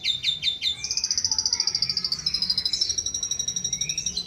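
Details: Asian pied starling mimicking other birds' calls: a few sharp chirps, then a long rapid trill of high bright notes, with softer lower whistles underneath.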